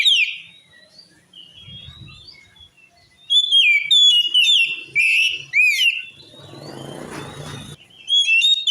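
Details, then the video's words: Song of an oriental magpie-robin, said to drive other magpie-robins wild: soft varied warbling gives way to loud, ringing whistles and quick chirping trills, with a noisy rustling burst near the end. "Suara Kacer Ini Mampu Bikin Kacer Lain Auto Ngamuk"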